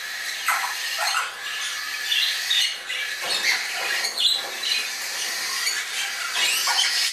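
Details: African grey parrot fledglings, Congo and Timneh types, flying in a bird shop just north of Dallas, Texas; hoarse squawks and shrill squeals rise and fall over continuous high chatter from several birds.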